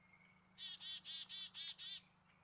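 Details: A few Black-capped Chickadees eat sunflower seeds at a balcony feeder; one gives its namesake call: a few high, quick 'chick-a' notes, then four harsh, buzzy 'dee' notes in under a second and a half, over a faint low hum.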